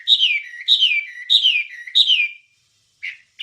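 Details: Wambie singing on a training recording for songbirds: four similar falling whistled phrases about 0.6 seconds apart, then a pause and two short chirps.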